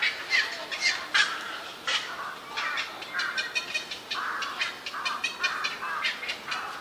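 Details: Lively juvenile black-crowned night heron chicks in a cormorant and heron colony on a bird island where Yokojukken Shinsui Park meets Sendaiborigawa Park, 1 June 2023: harsh, raspy squawks in irregular overlapping bursts, roughly once per second.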